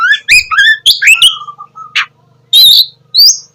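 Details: Energetic Oriental magpie-robin song in the 'ngeplong' style, meant to prompt sluggish birds to sing at dawn: rapid upward-slurred whistles, a drawn-out low note, a harsh buzz, then bright high whistled phrases.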